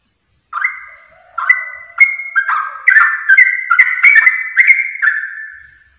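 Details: Sooty-headed bulbul song played as a lure to trigger singing within seconds. Sparse whistled notes quicken into a lively run of bright, slurred phrases that fade at the end.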